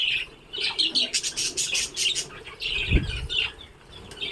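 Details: A colony of pet budgerigars (Melopsittacus undulatus) in Guwahati, Kamrup, Assam chatters together in a busy jumble of scratchy chirps, squawks and warbles.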